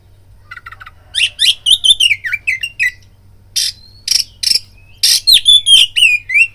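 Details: Lure song of an oriental magpie-robin intended to make other birds eager to fight: faint rapid ticking notes, then a burst of varied whistles and slurs, a pause, and loud harsh rasps mixed with clear descending whistles.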